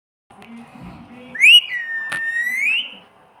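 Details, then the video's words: A parrot mimics a cat's miaow with one long drawn-out whistled tone that rises sharply, sags, then climbs again. A single sharp click falls in the middle, and a faint low hum sits underneath. "See How a Parrot Makes The Sound Of Miyaauuu / म्याउँ म्याऊं कैसे बोले"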